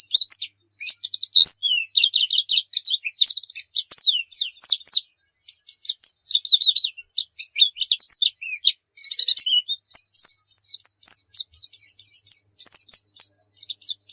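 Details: Long, varied oriental white-eye song used as a tutor for other birds. Rapid high chirps, slurred whistles and chattering passages follow one another almost without pause.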